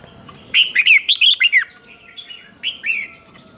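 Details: Red-whiskered bulbul singing to provoke a rival: a quick cluster of loud, looping whistled notes, then a short pause and two softer slurred notes.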